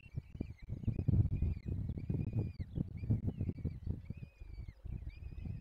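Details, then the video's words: Peregrine falcon nestlings at feeding time in a forest nest, Barycz Valley, Poland, 17 April 2024. Repeated thin whistled whines, some rising then falling, run through the recording, partly masked by loud low rumbling and knocking. "Dolina Baryczy - Karmienie piskląt - 2024 04 17 sokoły wędrowne"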